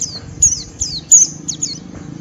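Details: Short burst of white-eye ngeriwik song, the rough chattering style used to goad other white-eyes: a handful of sharp, very high downslurred chips spaced about a third of a second apart over a soft low hum.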